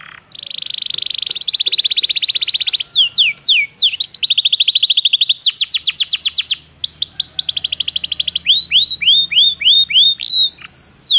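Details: Belgian canary performing training song: long varied sequence of buzzing trills, sharp downward-swept whistles and rolling rattles changing every second or two, ending in a series of slurred whistled notes, with a faint low hum beneath.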